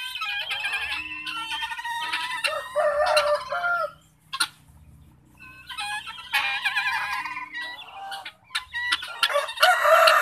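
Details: Pet guinea fowl in an enclosure, part of a flock also posted outside a window as an alarm. Two long stretches of harsh overlapping chatter are separated by a brief near-silent gap, with a final loud burst at the end.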